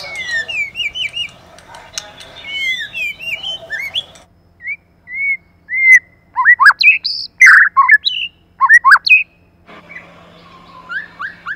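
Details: White-rumped shama, a female used as a lure alongside a male to stir other shamas: varied sharp whistles, chirps and slurred notes in bursts, loudest in the middle, over a steady low mechanical hum at start and end.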